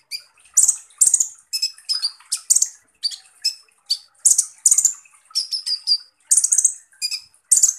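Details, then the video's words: Van Hasselt's sunbird (Leptocoma sperata), a skilled mimic, gives rough, rapid bursts of very high, thin, sharp chips and short buzzy trills, about two bursts a second, with no other sounds. "SUARA BURUNG Kolibri Ninja Full Tembakan Kasar"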